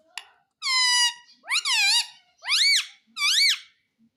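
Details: Talking parrot indoors, said to speak "Mummy papa" and ask for roti: a short click, then four loud, nasal, speech-like syllables, a flat held note followed by three arched, rising-falling words at roughly even spacing.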